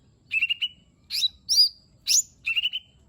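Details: Lesser green leafbird singing as a lure for a reluctant bird: five short phrases, trilled level whistles opening and closing, with two harsh rising chirps between, in a quiet background.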